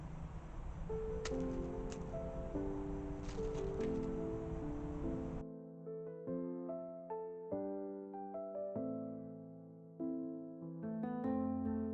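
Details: Gentle keyboard music plays throughout, with leafy rustling noise over the first few seconds and no animal calls.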